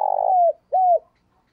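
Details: Decoy spotted dove luring wild doves in the morning gives a long grating coo that slides down, then a shorter arched coo.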